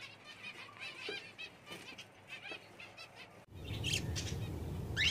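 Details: Soft, harmonic chirps and short twittering notes from Java sparrows for three seconds, then a burst of louder noise with a couple of high squeaky calls.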